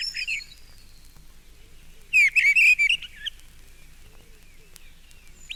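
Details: Mistle thrush at close range in a town park giving subsong, a quieter version of its full territorial song: a tight cluster of bright, squeaky warbled notes mid-clip and a few scattered phrases, with a blue tit and wood pigeon in the background.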